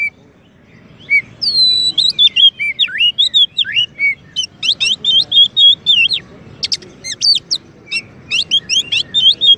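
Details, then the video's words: White-rumped shama, a champion songbird used as a master song for training, begins softly, then sings a loud stream of high whistles, slurred phrases and rapid repeated notes, steady throughout. "Kacer Juara untuk Masteran dan Pancingan murai batu"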